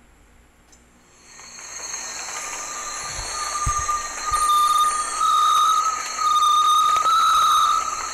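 A passing train builds from quiet into loud, steady wheel squeal with sustained high ringing tones and a few low thumps, and no animal voices.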